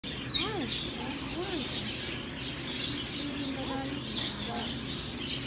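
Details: A young cockatoo, described as jealous, calls a visitor over with a few short, arching, voice-like calls, the loudest two in the first two seconds, over steady hissing background noise.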